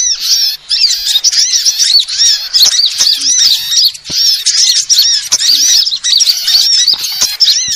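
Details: Lure sound for attracting sunbirds of every kind: a steady stream of bright, high chirps in quick repeated bursts, each phrase of slurred squeaky notes following the last with brief gaps and a few sharp clicks.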